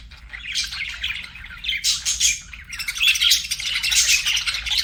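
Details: Budgies kept as pets warbling, with quieter chatter at first, then louder raspy squawks and bubbling chirps rising in strong waves.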